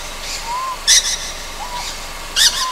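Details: On Amami Ōshima at night, a juvenile Ryukyu scops owl gives soft upslurred whistles, alongside two harsh, high rasping bursts spaced about one and a half seconds apart.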